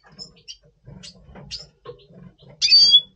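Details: A double pastel red siskin in breeding condition, November 2023, gives a few thin, high chirps, then a loud buzzy twittering burst near the end, over a faint low murmur in the room.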